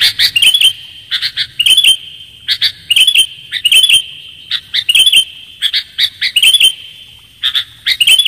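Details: Clear sooty-headed bulbul lure sound: repeated pairs and triplets of sharp chirps, each group ending in a brief bubbly flourish, recurring about every second against a persistent high tone.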